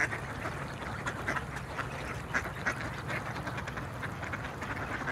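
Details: Several Mallards (Anas platyrhynchos) call at once, giving soft nasal quacks and low chatter in irregular bursts over a steady background rumble.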